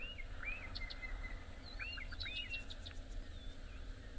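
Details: Two Bokmakieries, calling from a bush but hidden from view at sunrise at Juma Private Game Reserve, southern Africa, on 18 April 2024, trade clear, ringing, overlapping whistles over a vehicle engine's low rumble.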